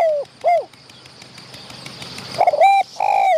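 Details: Medium-voiced wild spotted dove near a trapping decoy, challenging the decoy birds. It gives the tail of one coo phrase, a pause, then a short coo and a long, steady, slightly falling coo.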